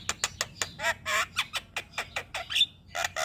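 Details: Javan myna singing for a master recording meant to stimulate other birds; a rhythmic series of harsh, rasping squawks repeated roughly every quarter second, with one thin whistle near the end.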